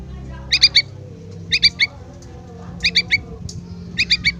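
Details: Yellow-vented bulbul chick calling its parent: short sharp chirps in quick triplets, four bursts spaced about a second apart, over a faint low hum.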